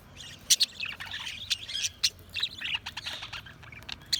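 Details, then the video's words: Budgerigars keep up a continuous twittering, scratchy chirps and quick warbles overlapping, punctuated by a few louder sharp notes. "Budgies Chirping sound"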